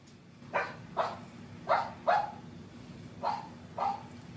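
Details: Brandy, a pet cockatoo, imitates the barking of her canine friend, a Briard, right to its face: six short, hoarse, dog-like barks in three quick pairs, each dropping in pitch, over a steady low hum.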